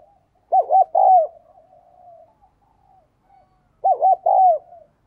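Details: Spotted dove repeats its cooing phrase twice, about three seconds apart: two short low notes and a longer coo, with soft humming coos between phrases.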